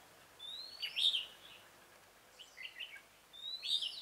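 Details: Red-whiskered bulbul song at a trapping site with a decoy, 27 October 2017: two bubbly phrases, each led in by a long thin rising whistle from another bird, with a softer chattering phrase between.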